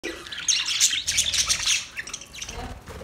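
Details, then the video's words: Budgerigars during mating: a dense, rapid warble of high chirps, clicks and squeaky chatter that builds into a busy burst for about a second and a half, then breaks into scattered shorter chirps. "Parrot mating sound"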